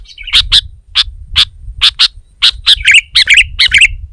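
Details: Sooty-headed bulbul in full song against a rival, agitating other bulbuls: loud high chirps at uneven intervals building into quick warbled double notes, with steady low background hum.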